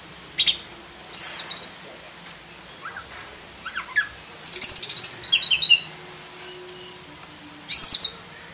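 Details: Black-breasted kacer, an oriental magpie-robin, delivering a rich isian song: bursts of bright high whistled chirps, a rapid chattering run of notes mid-phrase, and loud trilled calls separated by short pauses.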